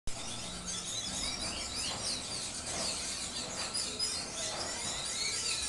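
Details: Several birds singing at sunset dusk on Margarita Island, Venezuela, chirping and twittering at once with quick high notes and short rising whistles overlapping, over a steady hiss of background noise.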